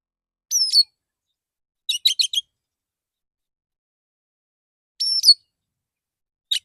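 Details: Male Oriental magpie-robin in the morning, singing in a relaxed way to call other magpie-robins; short high sharp phrases with a sliding whistle and quick clustered chips, separated by long pauses.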